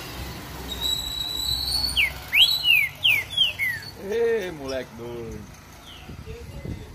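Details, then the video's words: Caged green-winged saltator held in the hand on a street sings a short phrase of clear, slurred whistles, several falling notes in quick succession, followed by a man's voice calling to the bird. "TRINCA FERRO JOKER CANTANDO DE GAIOLA NA MÃO NA RUA"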